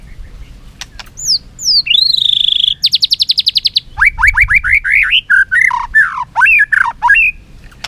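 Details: White-rumped shama singing in competition and flicking its tail: high descending slurs, a rapid buzzy rattle, then a rich run of varied looping whistles and chirps.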